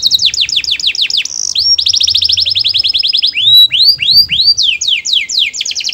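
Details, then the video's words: A canary sings sweetly so other canaries will join in. Rapid repeated downslurred notes flow into a dense trill, then loud looping whistled phrases and quick high rolls, all very bright and clear. "Suara burung kenari bernyanyi merdu yang lain awas ikut bernyanyi"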